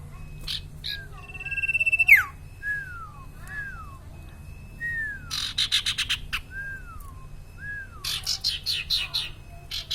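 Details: Energetic common iora (sirtu/cipaw) song: a rapid rising buzzy trill, then several clear arched whistles sliding downward, followed by fast stuttering chatter bursts.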